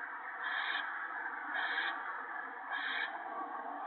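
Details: Owlets at the nest on a March 2017 evening, fed shredded gopher by an adult: a continuous rough hiss rising into three louder surges about a second apart.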